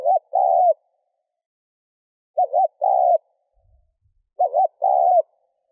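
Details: Spotted dove coos meant to stir a decoy bird into calling. There are three phrases, each a short wavering double note followed by a sustained falling coo, about two seconds apart. The background is otherwise silent.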